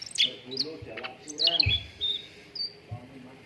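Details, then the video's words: Cucak ranting song meant to get contest birds singing quickly: a few sharp high chirps and short whistled phrases among softer lower warbling notes, with occasional low thumps. "PANCINGAN CUCAK RANTING BAHAN AGAR CEPAT GACOR"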